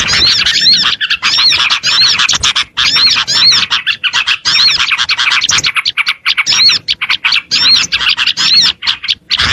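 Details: Busy, high-pitched Oriental white-eye twittering meant to attract small birds, looping whistled notes chained rapidly, the later part choppier with short gaps.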